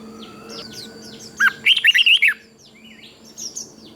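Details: Red-whiskered bulbul from Thailand singing in the southern master style, played to excite other bulbuls and teach young birds: a quick burst of bubbly, warbled whistled notes mid-clip, with soft scattered chirps before and after.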